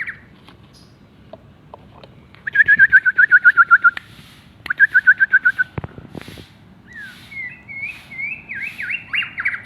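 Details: Champion contest white-rumped shama, said to have moulted once and to sing loudly, gives two quick runs of about a dozen clipped repeated notes, then a varied phrase of rising and falling whistles over a low steady hum.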